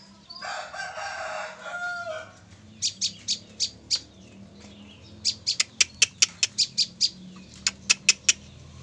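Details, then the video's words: A loud, rough, noisy burst lasting about two seconds opens, then a female olive-backed tailorbird caught three days earlier breaks into a long series of crisp, high, clipped notes, some doubled and quickening toward the end. "prenjak lumut betina, hasil pikat 3hr langsung bocor"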